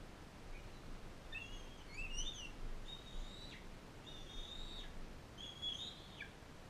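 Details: Captive non-releasable adult female bald eagle fostering a bald eaglet from Powell River in a care facility; thin, high whistled calls, each rising then levelling before dropping sharply at the end, given in a loose series of about five over a steady background hiss.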